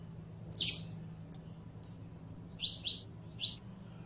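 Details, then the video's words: Saffron finch gives a buzzy high chirp, two thin whistles, then three doubled sharp chirps, over a soft low hum. "CANTO DE CANARIO CRIOLLO CANTANDO"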